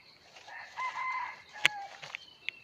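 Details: Red junglefowl, a wild rooster, crowing on 17 March 2020: a short, loud, harmonic crow held about half a second, followed by sharp clicks and a few thin bird chirps over a faint insect hum.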